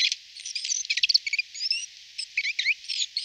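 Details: Great tit moving into a nest box: a busy scatter of short, high, thin chirps and ticks, closely packed and uneven in rhythm, with no other sounds.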